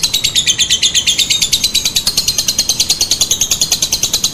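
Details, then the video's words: Lovebird lure call meant to make other lovebirds answer, in the typing, cackling and long-drawn styles: rapid high shrill chattering, pulses repeated about seven times a second without pause, steady and loud throughout. "Suara Pancingan Lovebird Ngetik, Ngekek, Tarikan Panjang Bikin Lovebird Anda Ikutan Nyaut Seketika"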